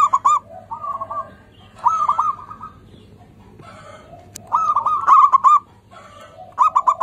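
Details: Local zebra doves singing actively, used as a lure for doves reluctant to sing: fast bursts of bubbling, rolling coos that rise and fall, phrases every couple of seconds, with lower softer cooing from other birds in between.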